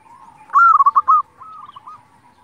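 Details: Singing local zebra dove, played to stir other zebra doves to answer: one loud phrase of a rising coo then four quick rolling notes, followed by a softer, similar phrase in the background.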